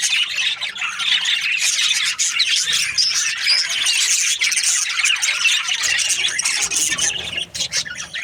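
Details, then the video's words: Chirping Australian budgies fill the air with unbroken, busy twittering and raspy squeaks, many voices layered together at a constant loud level, with a brief dip near the end. "Australian budgies parrot chirping sounds"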